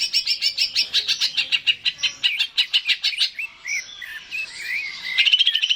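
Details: Greater green leafbird song for stimulating a kept bird: a rapid series of bright repeated chirps for three seconds, then softer slurred whistles and a final high buzzy flourish.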